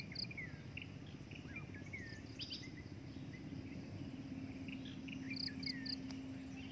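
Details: Breeding adult drongo giving short chirps and slurred whistled notes, some rising, others falling, scattered across the clip, with clusters of brief high pips near the start and end over a steady low hum and background noise.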